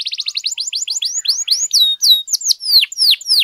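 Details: A canary lure song, played briefly to raise other canaries' excitement: very quick clipped notes that slow into longer, loud downward-sweeping whistles repeated steadily.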